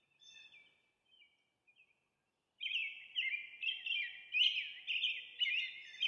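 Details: Soft, distant notes give way to a loud, continuous series of burry, whistled phrases from an American robin, closely repeated.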